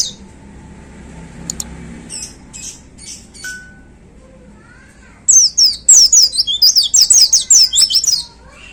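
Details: Caged white-eye (pleci) in a hanging cage, in the lively 'gacor' state, giving its powerful 'tembakan' (shooting) song: scattered soft chirps and a short whistle, then a three-second burst of rapid, sharp, very high twittering notes over faint background hiss.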